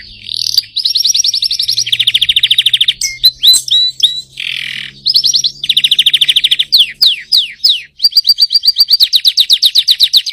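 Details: Singing young canary, trained to break into full voice: rapid rattling trills alternate with sharp rising and falling whistled sweeps, each phrase a dense burst of repeated notes, with a faint low hum underneath.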